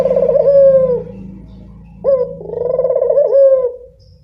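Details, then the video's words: Lure call from a local turtle dove: a vibrating coo that settles into a steady tone, a lull, then an upward-flicked coo swelling into a pulsed purr, over a low background hum. "Pancingan burung puter lokal"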